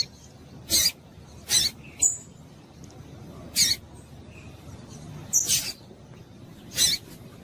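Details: Calls of a female double-collared seedeater, meant to excite males: about six brief, piercing high peeps spaced roughly a second apart, with quiet hiss in between.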